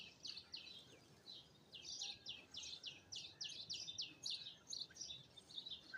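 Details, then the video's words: Birds in Azad Kashmir; quick bright chirps repeated rapidly, several per second, in a steady chattering series over soft background noise. "birds chirping sound"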